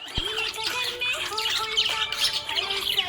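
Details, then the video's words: Happy budgie chirping: high rasping chirps and warbles in quick runs after an opening click, backed by clear sustained music notes. "Happy budgie chirping sound"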